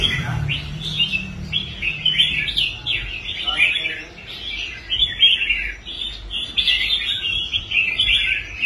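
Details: Rehabilitated competition red-whiskered bulbul singing on a display stand: a steady run of quick, chirpy, warbling notes, loosely repeated about forty times a minute, with a brief low hum early on.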